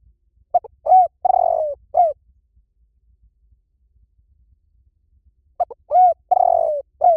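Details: Spotted dove song in the liu tan style, played to lure and train doves to call back. Two low hollow cooing phrases: short clipped notes, then a long falling coo and a final coo, separated by about four seconds of quiet.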